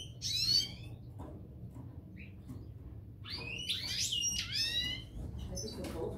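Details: Parva goldfinches, a pair: an opening burst of high twitter, a near-quiet stretch with one short chirp, then a dense run of sweeping, descending liquid notes and chatter, with low steady background hum.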